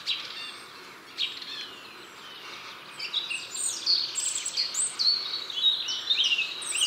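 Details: European robin singing a long, sweet warble with pearly trills and whistles, each strophe slightly modified and including borrowings from other songbirds; a few faint high notes at first, then a rapid, rising-and-falling jumble of twittering trills and whistles fills the second half.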